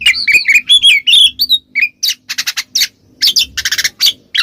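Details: Oriental magpie-robin singing 'ngeplong' as a lure for a silent bird: opening string of sliding whistled notes, then clipped, noisy chips in quick clusters with brief gaps.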